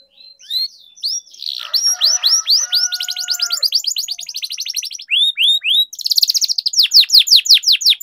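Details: Canary song used as a lure to get silent canaries singing: rapid trains of falling whistled notes and fast buzzy trills, with steady tonal notes in the middle and a loud rolling trill near the end.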